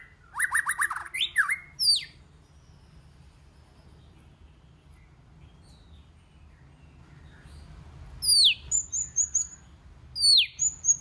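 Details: White-rumped shama singing in many voices. A dense burst of rich whistles and sharp chirps opens the passage. After several seconds of quiet with low background hum, more swooping whistles and high piping notes follow.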